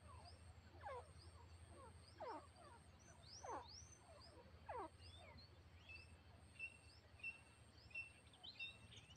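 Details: Grey partridge calling in the wild while a tame female decoy is used to lure it; sharp descending notes come in bursts roughly every second or so, some louder than others, with faint high chirps from other birds in the background.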